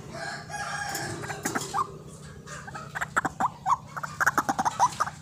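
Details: White-breasted waterhen calls used as a trapping lure: a harsh drawn-out croak, then a quiet gap, then a quick series of short, sharp, clucking notes repeated irregularly.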